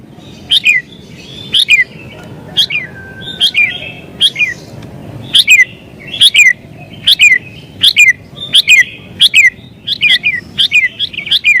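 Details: Sooty-headed bulbul in agitated song, used to call in wild bulbuls: a dozen sharp, falling chirped notes repeated rapidly, about one per second, with occasional doubled notes and light background hiss.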